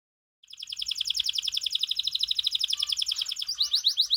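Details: White canary and crested canary song, a fast buzzy trill of tightly packed high notes rolling on for three seconds, then switching to a slower run of sharper slurred notes.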